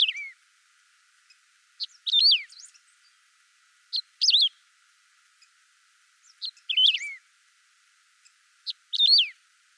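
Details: Saffron finch singing, natural unedited sound: short bursts of sharp chirped and twittering notes, each phrase with a quick falling slur, repeated about every two to two and a half seconds with silence between.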